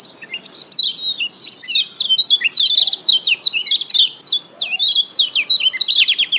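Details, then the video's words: A Lemon-bellied white-eye, the Lombok yellow white-eye, sings a fast, unbroken stream of high, chirpy twittering notes with quick rising and falling slurs, used as a master recording to provoke caged birds. "masteran Kecial Kuning pendongkrak emosi"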